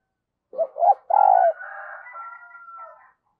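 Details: Spotted dove acting as a decoy to call in new wild birds in the thúc and gáy manner. It opens with two short rising notes and a long coo. A thin, steady whistled tone lingers behind it for over a second.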